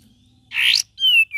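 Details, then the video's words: ['Cream-vented bulbul, ngeriwik and gacor style: a harsh rising rasp followed by a clean whistled note that glides gently downward.'] "KAPAS TEMBAK VARIASI GACOR DAN NGERIWIK"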